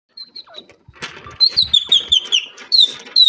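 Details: Grey francolin calling in high spirits: a fast run of shrill, high whistled notes, each dropping slightly in pitch, about seven in quick succession, then a fresh burst at the end, with faint scratchy sounds between phrases.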